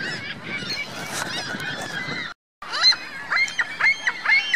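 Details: Geese with goslings at Virginia Lake, Reno: at first a continuous overlapping chatter, then after a brief gap a crisp series of sharp, rising honks repeated about twice a second.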